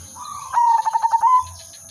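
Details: Merbok or perkutut, silver udanmas, singing for use as a trapping lure: one complete bubbly coo phrase of about eight fast pulsed notes after a soft hum, with low murmuring and a constant high hiss.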